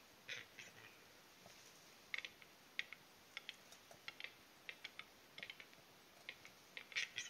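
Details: A western capercaillie at a spring lek in taiga forest in Kuusamo, Finland, gives dry, knocking clicks at an uneven pace, some paired, over a faint steady high hiss.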